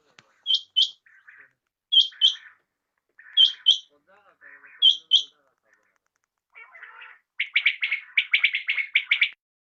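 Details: Common quail calling in the evening: pairs of sharp high notes repeated about every 1.4 seconds, each followed by softer lower notes, ending in a fast run of dense, clipped notes.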